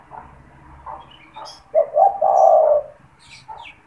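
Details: Caged spotted dove, a frequent caller kept for luring wild doves, gives one cooing phrase: two quick short notes and then a drawn-out, slightly wavering coo, with faint softer coos before and after.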